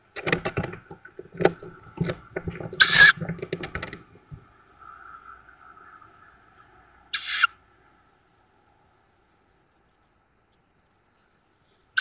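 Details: Tawny owl young, fledged, at a woodland nest near Szokolya, Hungary, on 7 May 2022, via nest cam: scuffling and scratching, a loud rasping hiss, a second hiss later and a brief third at the end.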